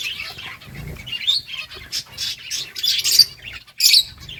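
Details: Finches feeding on rice: scattered sharp, high chirps in short bursts separated by brief gaps, with a soft flutter of wings early on.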